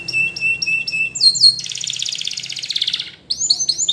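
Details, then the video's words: Spanish Timbrado canary singing a training song: several short steady whistles in a row, then a long rapid rolling trill lasting about a second and a half, ending in quick up-sweeping notes. "Your Canary Will Not Stop Singing With This Training Song Videos"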